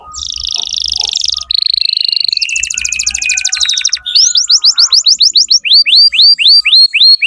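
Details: Canary song played as a lure to tutor young canaries: a buzzy rolling trill, a steady whistled tone, a fast pulsed roll, then a run of quick rising-and-falling whistled sweeps, with faint low thumps beneath.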